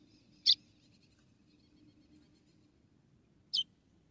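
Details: In Rio Grande do Norte, Brazil, a female white-throated seedeater calls to stimulate the male, giving two bright, high, clipped chips about three seconds apart against a faint steady hum.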